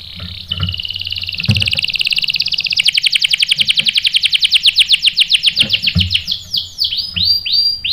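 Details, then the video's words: Canary responding to a female bait with a rolling song: a sustained buzzy trill that turns into rapid pulsed notes and ends in slower downward-sweeping whistles. "PANCINGAN KENARI GACOR bikin EMOSI jadi NYAUT GACOR NGEROL | CANARY SINGING"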